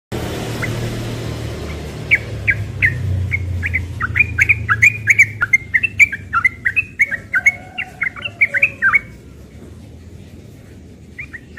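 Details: Young yellow-vented bulbul in the morning, singing in rapid ropel style: short chirpy whistled notes tumbling quickly one after another for several seconds, with a low steady hum underneath and a quieter end.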